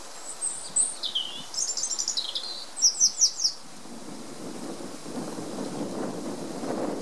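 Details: European robin (Erithacus rubecula) singing in spring, 20 March 2019, sunny with some wind. A high, thin, warbling phrase of sliding notes and quick trills ends in four bright pips, then soft wind and rustling.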